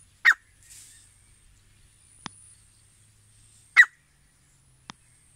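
A grey francolin gives two loud, harsh, shrill notes about three and a half seconds apart. Faint sharp clicks fall between them.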